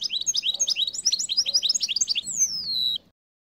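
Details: Caged goldfinch x canary hybrid singing in winter: rapid run of high, twittering chirps repeated about four per second, ending in a long, slightly falling whistled note.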